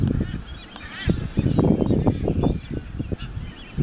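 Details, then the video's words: Galapagos Albatross during a courtship display on the Galapagos Islands. Rapid, low, clattering and honking bursts run through the whole stretch, with a few faint higher harmonic wails above them. "Galapagos Albatross courtship display"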